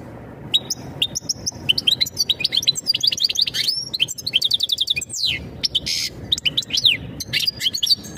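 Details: European goldfinch giving mating calls meant to ready the female for breeding: fast, liquid twittering with high tinkling notes, quick trills and a few buzzy bursts, running almost without pause for eight seconds.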